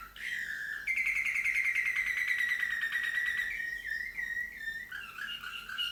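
Slavujar canary singing a continuous rapid trilled song around mid-high pitch, with fast repeated notes and bubbly, nightingale-like rolls that shift and rise near the end.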